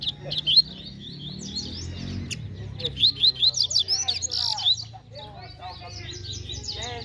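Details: A Double-collared seedeater competes in song at a bird gathering: a short high twitter, then a longer rapid run of sharp high notes, followed by softer mixed chirping and background murmur.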